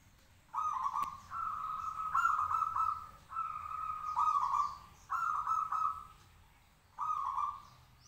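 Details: Local zebra dove singing from a cage to set others answering; a run of five purring, rattling coo phrases, each one to two seconds, joined closely, with faint chirps of other birds.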